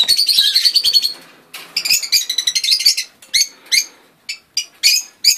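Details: A breeder's first rosy-faced lovebird chicks of 2013 give harsh, high, squeaky chirps: a dense chatter at first, then short rasping calls about every half second.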